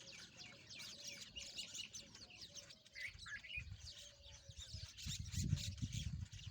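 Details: Rosy-faced lovebirds playing together, giving a fast, irregular stream of high, scratchy chirps and squeaks. A steady faint low tone runs beneath, with low thumps and rustling near the end.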